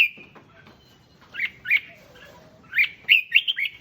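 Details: Red-whiskered bulbul song played to excite other bulbuls: a long whistled note, then sparse bright chirpy phrases around mid-high pitch after a pause, the later notes quickening into a short bubbly run.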